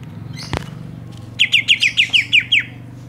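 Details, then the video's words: Greater green leafbirds of Banyuwangi and Kalimantan, their song fill compared: a single sharp click, then eight evenly spaced, clear chirps in a quick steady rhythm over a persistent low hum. "Bongkar isian, Cucak Ijo Banyuwangi vs Cucak ijo Kalimantan"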